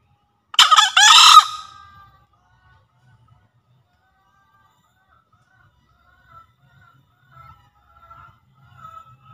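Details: Javan green junglefowl crow used to lure wild birds and to get newly caught or quiet captive birds calling. A single coarse, split crow opens the recording, followed by several seconds of near silence with faint distant sounds.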